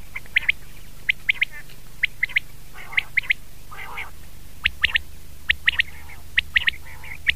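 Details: Common quail giving sharp, clipped triple-note calls, repeated in quick clusters throughout, interspersed with softer lower nasal notes, against a constant low background hum.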